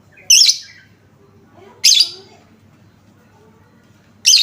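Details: Lovebird lure recording to make other lovebirds respond. Three loud, harsh, trilling chirps about one and a half to two and a half seconds apart, each fading out with a rough tail.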